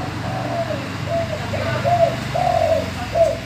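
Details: Male spotted dove with a deep gembur voice, singing to prompt other doves to call: a run of short, low coos in uneven sequence, some slightly wavering, over steady low hum.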